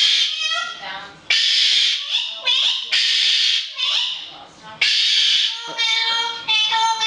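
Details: Daisy, a yellow-faced amazon parrot, sings indoors in loud, voice-like bursts, trying to annoy a cockatoo: harsh, raspy phrases mixed with clear whistled notes that rise and fall, coming in quick uneven runs.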